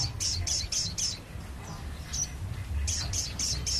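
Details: Crested jay calling, used as a lure for birds: rapid bursts of high, sharp ticking notes about four per second, broken by a short pause, then resuming, with a constant low background hum.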